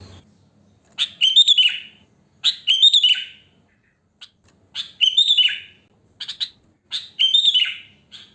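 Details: Natural wild song of a sooty-headed bulbul, free of mimicked phrases and used as a lure to stir other bulbuls: four bubbly, chattering phrases ending in a downward-sliding whistle, spaced about two seconds apart with quiet gaps between.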